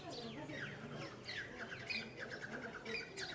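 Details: Red-vented bulbul calling amid busy chatter: quick downward-sliding chirps and short whistled notes, several overlapping, with a steady low hum underneath.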